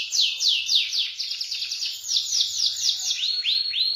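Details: Canary in gacor ngeroll nembak singing style, pouring out fast repeated downslurred sweeps about four per second, shifting to clear rising whistled notes near the end, bright and loud throughout.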